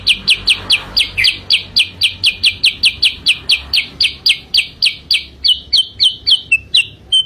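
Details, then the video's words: Sooty-headed bulbul song used to lure birds: rapid, regular chirps, about three a second, each a bright click into a short falling note, ending in slower, lower, drawn-out notes. "kicau pikat burung kutilang sutra"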